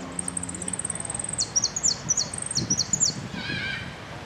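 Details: European goldfinch singing at the Copa Federacion competition, 3 March 2013, placed second runner-up in the Amarillo Completo class. A very high, rapid trill opens into quick down-slurred twittering notes, ending on a buzzier note over a low background murmur.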